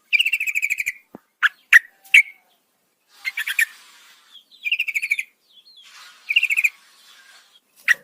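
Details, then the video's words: Yellow-vented bulbul female calling to a male at night, giving repeated bursts of fast, bubbly, pulsed chatter between sharp single chips and short silent gaps. "PANCINGAN TRUCUKAN ROPEL PANJANG SEKETIKA LANGSUNG NYAUT masteran burung trucukan malam hari"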